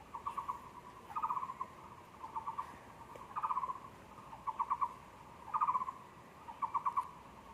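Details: At a zoo on 24 February 2020, a Taiwan barbet repeats short trilled phrases of hollow, low knocking notes roughly once a second, the phrases alternating slightly in shape and strength.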